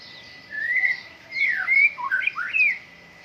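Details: White-rumped shama at morning dew airing, giving a few slow slurred whistles that rise and fall, some swooping down then up, over a faint steady tone.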